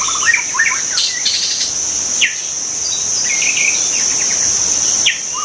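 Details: Wild white-rumped shama giving scattered whistled notes and short slurred phrases, with a loud steady high-pitched insect buzz throughout.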